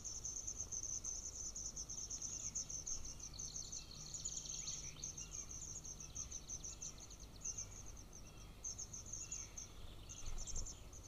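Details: Golden eagle chick in its nest near a military training ground, 18 June 2024, hungry and struggling with a bone from leftover prey; long run of shrill, rapidly repeated high peeps, briefly pausing, over a constant low rumble and hiss.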